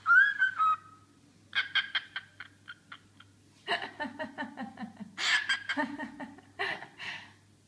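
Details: Cockatiel singing and showing off; a bright, wavering whistle opens, then comes a run of rapid clicking, chattering notes in bursts, some harsh and buzzy, over a steady low hum.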